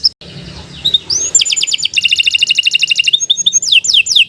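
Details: Singing canary kept as a training bird for young or non-singing canaries: rapid trills of sharp high notes, a buzzy rattling run, then descending slurred whistles repeated in quick succession.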